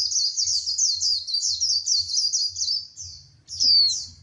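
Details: Female white-eye stirring a male into fiery song: a continuous high, rapid warbling chatter of closely packed notes, ending in one loud, clear downward-sliding whistle; low hum underneath.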